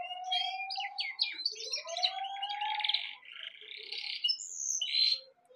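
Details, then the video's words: Birds giving a low, drawn-out whistle and a second rising whistle under jumbled, high, scratchy chirps. A louder harsh burst comes near the close before the sound fades. "Amazing Birds sounds"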